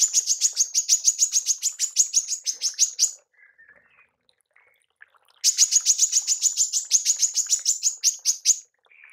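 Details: Two bursts of the female manggar's tembakan, used to train songbirds, each about three seconds of rapid, sharp, high chips, with faint soft calls in the gap between them.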